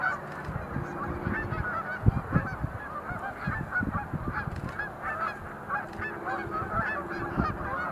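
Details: Sandhill cranes at Montezuma National Wildlife Refuge visitor center, November 2020, some doing display leaps; a flock chorus of rolling, trilled calls runs throughout, mixed with frequent low thumps and rumbling.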